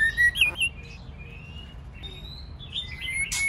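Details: Male and female white-rumped shama singing, intended to stimulate singing: clear whistled notes sliding gently up and down, a click near the start and a burst of noise at the end.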